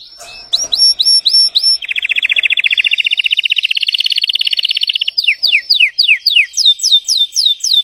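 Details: Belgian canary in full song: a few clipped high notes, a long even rolled trill lasting about three seconds, then a run of sharp downslurred whistles repeated rapidly.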